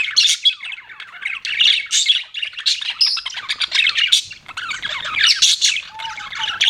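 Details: Budgies chirp in a bright, scratchy chatter of rapid squeaks and warbles, closing with a few clear, level whistled notes.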